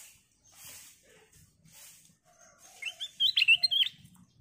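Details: Golden bulbul (kutilang emas) giving a clear crystal song as a lure that sets other birds singing: faint rustling and soft chirps, then a lively burst of bubbly, warbling whistled notes near the end.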